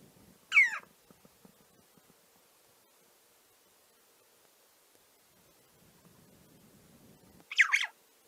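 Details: Red-billed Chough giving contact calls in a neutral context: two loud, harsh, descending 'chee-ow' calls about seven seconds apart, with soft low rustling between.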